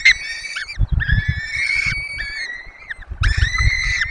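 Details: Peregrine falcons at a webcam nest in the Barycz Valley, Poland, during feeding of four chicks: three drawn-out, harmonic wailing calls, each held level then bending down at the end, with low rumbling nest noise beneath.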